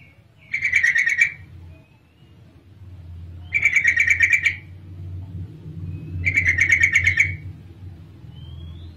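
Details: Female sooty-headed bulbul giving a call used to lure males to sing: three rapid, buzzy rattling bursts, each about a second long, spaced roughly every three seconds, over a steady low hum.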